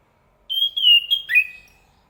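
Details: A chestnut-capped thrush gives a brief, sweet phrase. It starts with a long, level whistle, then breaks into quick slurred notes and a falling, drawn-out ending. There are no other sounds.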